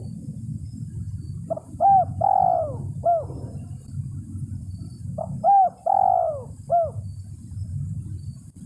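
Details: Spotted dove calling to challenge a rival, used to lure birds: two low cooing phrases with a long central coo, separated by a few seconds of steady low rumble.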